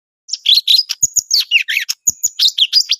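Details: Greater green leafbird singing energetically: a rapid, loud run of high whistled and chattering notes, many sweeping down, with a thin sustained whistle woven through and a couple of soft low taps.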